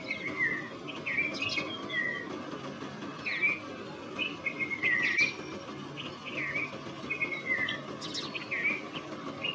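Red-vented bulbul gives short, bright chirping phrases with quick up-and-down notes every second or two, over a steady low background hum.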